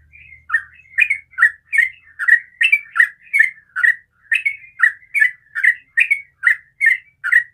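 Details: Morning song of a sooty-headed bulbul, an even run of brief warbling notes that bend up and down, delivered roughly every 0.4 seconds, with a faint low rumble at the start.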